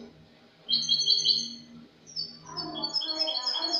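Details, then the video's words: Spanish goldfinch from last year delivering clean 'cante limpio' song, 22 August 2018: a sparkling rapid trill followed by quick high tinkling notes mixed with lower twittered elements, faint background hum. "jilguero español cante limpio"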